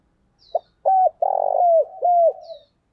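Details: A caged decoy spotted dove coos a single lure phrase: a brief lead note, a steady coo, a throaty rolling note and a falling end coo, with a faint thin high sound at start and end.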